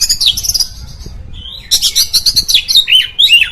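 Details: Oriental magpie-robin song aimed at provoking other magpie-robins: a high thin warble, a short pause, then a lively burst of rapid chattering notes and downward-swooping whistles.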